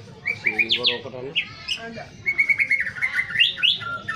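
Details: White-rumped shama in morning song, delivering rich, rapid whistled notes, rising chirps and a sustained clear tone, with a short grating passage early on.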